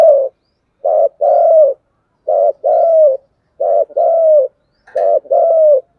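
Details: Continuous thúc gù cooing of a spotted dove: four couplets, each a short vibrating note and then a drawn-out coo that dips slightly at the end, repeated about every one and a half seconds.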